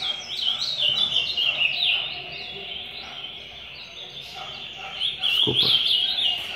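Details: Captive ultramarine grosbeak (azulão) during a song-training session, singing rapid, warbled high phrases of quick slurred notes, with a brief knock and faint talking behind.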